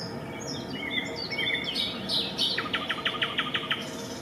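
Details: Eurasian coot nest with chicks at Raszyn fishponds, Warsaw, Poland, 4 May 2024; high warbling from other birds first, then a rapid, even train of seven short, sharp notes, about three per second.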